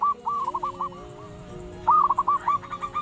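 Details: Local ombyokan zebra dove, recorded for training and luring, delivering rolling, bubbling coo phrases in two bursts with brief gaps, over a soft sustained instrumental drone.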